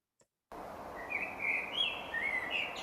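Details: A Common Blackbird's mellow, fluty warble: a slow, rich, relaxed phrase of rising and falling notes with big pauses between phrases, more pensive than a song thrush's, over a steady background hiss.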